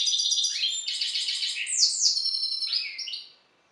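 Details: Goldfinch hybrid from a songbird breeder, singing after the Balkan goldfinch: dense high twittering with buzzy repeated units, two sharp descending slurs, then upward-sweeping whistled notes before the phrase fades out.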